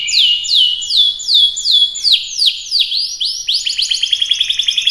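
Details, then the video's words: Canary in lively full song: repeated loud descending whistled sweeps about twice a second, then a faster run of quick sweeps ending in a rapid trill. "Kicauan Burung Kenari || Kicau Mania || Full Gacor"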